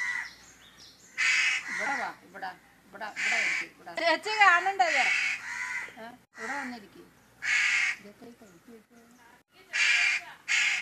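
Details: Crow copying a lady's voice, mixing raspy caws with bent, talking-like tones in irregular bursts over about eleven seconds, with quiet gaps between.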